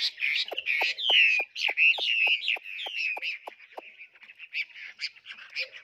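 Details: Tame caged Chinese hwamei singing whistled, descending phrases over a series of sharp clicking taps about every quarter second, followed by softer rapid chattering notes.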